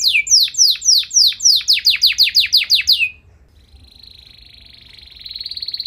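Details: Canary in full song, said to provoke other canaries into replying: a series of loud, evenly spaced downward-slurred whistles, a short pause, then a thin sustained rising trill.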